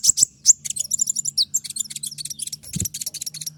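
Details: Konin singing in a 'tembakan' (shooting) style, a master recording for training birds: a dense, rapid chatter of high, sharp chips and trills, with one louder burst near the end.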